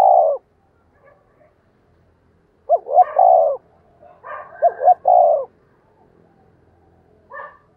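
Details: Spotted dove used as a decoy bird, calling to lure others: hoarse cooing phrases of two short notes and a longer drawn-out coo, repeated in groups with quiet gaps, a brief extra phrase at the end.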